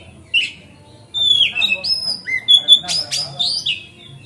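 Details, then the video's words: An Oriental magpie-robin in relaxed song, used as a lure to make other magpie-robins open their tails, sings a lively run of clear, high whistles, some sliding downward, with a few scratchy notes over a faint low hum. "Pancingan Kacer Gacor Ngeplong Santai Bikin Buka Ekor Kacer Lain"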